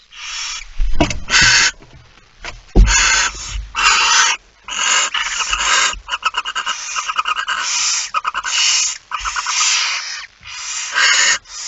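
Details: Barn owls at a nest on 6 September 2019 around 21:14, as the male brings the first mouse of the evening, give harsh, breathy hisses about a second long in quick succession, with a burst of rapid ticking notes and a few dull knocks.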